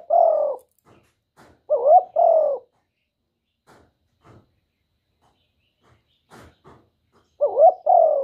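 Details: Spotted dove calling as a trapping lure: low, mellow cooing phrases, each a quick wavering note then a longer steady coo, given twice with pauses between, while faint clicks and taps sound in the gaps.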